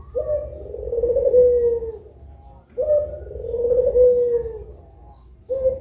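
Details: Collared dove performing puter pelung cooing around midday, one of two birds: two long low coos with a sharp onset and a slow downward slide, then the start of a third, quiet room behind.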